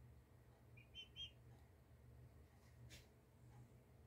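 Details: Two-week-old turkey poults giving a short burst of three high, clear whistled peeps near the start, then quiet, over a steady low hum.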